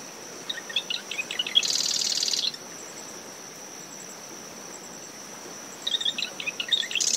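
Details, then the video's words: Marsh wren at dawn in dune shrubs by its nest, SMNWR, recorded ten meters from the high tide line in brisk wind: clicking introductory notes then a loud buzzing trill, repeated about five seconds later, with cricket hum and surf. "Marsh Wren Calls"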